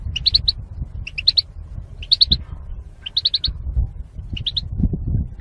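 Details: European goldfinch female calling to stimulate males to mate: short high twittering bursts of three to five quick chirps, repeated about once a second, over low background rumble.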